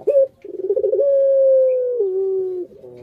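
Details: Pelung coo of a pet Barbary dove: a quick rising note, a bubbling roll, then a long steady hoot that drops to a lower sustained tone before fading.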